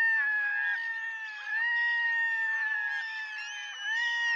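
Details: Cat-like wailing of a Red-throated diver, steady drawn-out moaning notes with small upward slurs, nearly unbroken.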